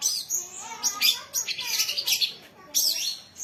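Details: Young songbird said to rival experienced contest birds, delivering quick bursts of high, scratchy warbling notes separated by short pauses.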